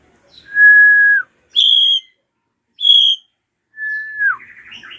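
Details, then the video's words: Loud clear whistles from a drongo, used to coax young birds into song: a long level note, two high pure notes, then a falling whistle that breaks into chatter. "JERITAN SRIGUNTING KRANTIL RAJA"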